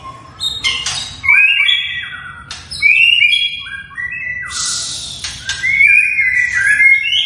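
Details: Captive long-tailed white-rumped shama in a small breeding cage, delivering sharp, loud song bursts: clear whistles rising and falling, interspersed with harsh clicks and rapid varied notes, a continuous lively sequence with brief pauses.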